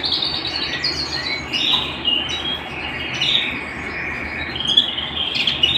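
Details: Canary singing indoors, a dense, continuous warble of overlapping high trills and quick chirps with small swells in loudness, steady low hum in the background.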